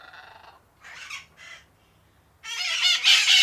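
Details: A group of parakeets in an outdoor cage give harsh, screechy chattering bursts, a few short ones and then a longer, louder stretch of overlapping squawks.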